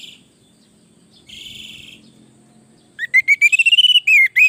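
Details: Orange-headed thrush song used as a master recording to train other birds: a faint buzzy burst first, then loud rapid whistled notes around three per second near the end, some sliding and rising.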